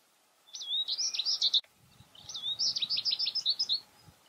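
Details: An American goldfinch in winter at feeders sings two rapid, twittering phrases of bright, high warbles and sweet rising notes, each about a second long, over a faint low rumble.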